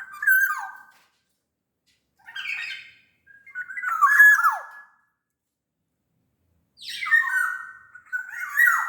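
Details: Black-naped oriole from Sumbawa, sung as a lure for reluctant orioles: repeated phrases of mellow downslurred whistles broken by scratchy, nasal squawks, with pauses of one to two seconds between.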